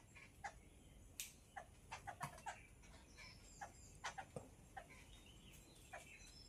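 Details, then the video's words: Yellow-billed babbler chattering with rasping, clipped notes repeated irregularly, several tightly bunched near the middle, over a constant low rumble of background noise. "Yellow billed babbler/ Chitala Pakshi"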